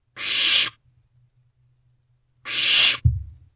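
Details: Barn owl owlet food-begging to its parents inside Owl Box C at 2:55 am, 15 May 2023: two drawn-out rasping hiss-screeches over two seconds apart, the second followed by a soft knock.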